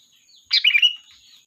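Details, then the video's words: Sooty-headed bulbul lure song meant to call the flock: a single quick, bubbly burst of liquid chirps ending in a short slurred whistle, with a soft trailing twitter. "Suara Burung Kutilang Gacor, Pikat handal memanggil kawanan"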